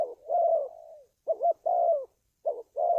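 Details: Spotted dove calling, a recording used for training decoy birds and luring wild doves to traps; a long drawn-out falling coo, then a quavering double note and another long descending coo, then a further quavering double note and drawn coo, in a quiet setting.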